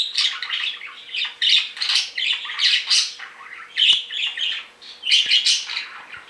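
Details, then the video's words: Two pet male budgerigars, sky-blue and yellow, born June 2019, calling noisily after being separated; dense run of harsh, buzzy squawks and chirps repeated almost continuously, with a few soft clicks indoors. "The outcome of separating my two budgies is surprising!"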